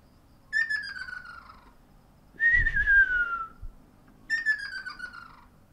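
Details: Exchange of calls between ruddy kingfishers, first of the year, 12 April 2019. Three descending, trilled whistles of about a second each, answering one another at roughly two-second spacing over faint low rumble.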